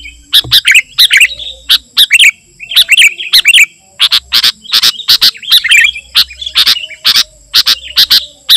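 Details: Sooty-headed bulbul in energetic, continuous song, used to lure wild bulbuls and to tutor caged birds: dense bursts of bright, chattering notes, mostly high, with sharp broadband clicks repeated roughly every half second throughout.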